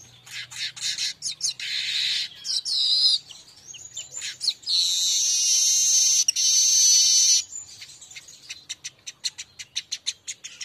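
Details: Streaked weaver song played as a lure recording to stimulate caged birds to sing in Indonesia: rapid dry ticking series, long buzzy sustained trills and rising whistles, ending in a steady run of sharp clicks.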